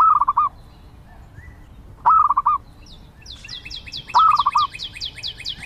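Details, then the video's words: Zebra dove giving short rolling, staccato cooing phrases about every two seconds, three in all, while another bird repeats a rapid series of high, thin downslurred notes in the background. "Zebra Dove Sounds"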